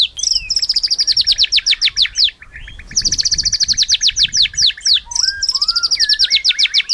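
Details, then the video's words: White-rumped shama, a kept songbird, repeating bursts of fast high rattling trills, with a few lower whistled slurs near the end. "MURAI MERDU"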